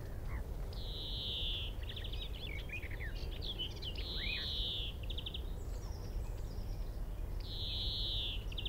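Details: Male European greenfinch singing in a tree at Minsmere, about 25 m away: drawn-out buzzy wheezes alternating with quick twittering trills, over a steady low rumble of wind or distant noise.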